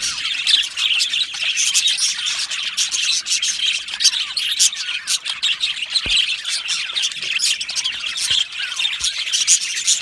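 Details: A colony of budgerigars in an aviary fills ten seconds with continuous high chattering, scratchy chirps and squeaky warbles, plus a few faint knocks.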